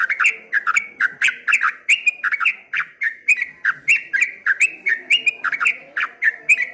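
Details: Streak-eared bulbul, or trucuk kebo, singing ropel ngombak banyu: a dense, energetic chatter of rapid, slurred, bubbling notes, closely packed and rising and falling in waves.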